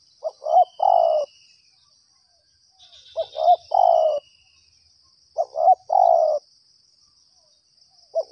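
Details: A spotted dove lured during trapping coos in three phrases spaced about two and a half seconds apart, each a stuttering pair of short notes leading into a long, slightly falling coo; a thin high whistle drifts faintly.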